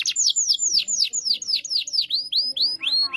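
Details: Loud gacor canary song meant for a young canary to copy: a steady series of arched, downward-curving whistled notes about four per second, ending in a rising note with rich overtones.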